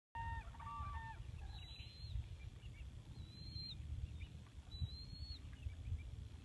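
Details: Wild whooping cranes at Aransas National Wildlife Refuge, Texas: a short burst of harmonic, trumpeting call notes in the first second, then thin high whistled notes repeating about every 1.5 seconds over a steady low rumble.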